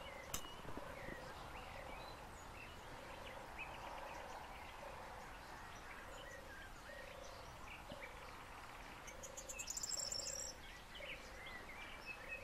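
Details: European turtle dove, seriously endangered, in Lower Silesia, Poland, among 5 nests and 14 birds per 4 square km; short low purring notes repeat roughly every second, with higher chirps from other birds and a brief noisy burst near ten seconds.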